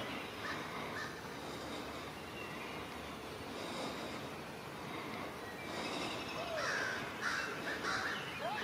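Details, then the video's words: Noisy crows flying close to a great horned owl in a forest. Faint background noise for several seconds, then a cluster of loud, scratchy caws near the end, a few per second. "A great horned owl mobbed by crows"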